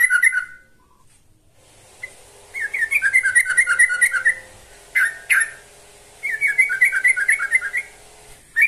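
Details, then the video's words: Yellow-vented bulbul song aimed at calling a rival, with rich gurgling runs of quick notes repeated in bursts, separated by brief pauses and sharp single notes, over a faint steady hum. "Kicau Burung TRUCUKAN GACOR Manggil Lawan"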